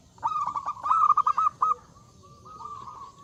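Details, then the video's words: Zebra dove singing with a loud voice to invite rival singers: a fast run of about ten bubbling stuttered notes, then a long quiet level tone. "Suara Burung Perkutut Gacor Suara Besar Mengundang Lawan Bunyi"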